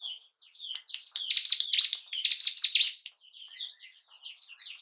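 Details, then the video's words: Bar-winged prinia, called ciblek gunung, singing as a lure to stir breeding drive and aggression in kept birds: thin high notes building into loud rapid scratchy chatter, then fading into quieter twittering. "Pancingan burung ciblek gunung pancing birahi dan emosi burung anda"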